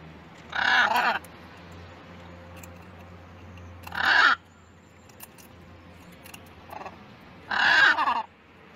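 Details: A group of wild blue-and-gold macaws feeding on sunflower seeds at breakfast: three loud, harsh, raspy squawks, each under a second long, spaced about three to four seconds apart, over a faint low hum.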